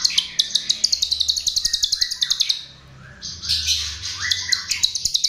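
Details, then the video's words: Chestnut-tailed starling (jalak rio rio) song used as a lure: dense high chattering bursts of sharp repeated chips with buzzy rising and falling phrases, loud and close. "Ternyata ini Pancingan Jalak RIO RIO"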